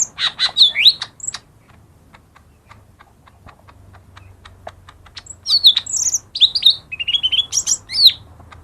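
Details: Lesser green leafbird lure song to get lazy birds singing: lively chattering whistles at the start, a long stretch of soft ticking, then a rich run of warbled, sliding high whistles and chirps.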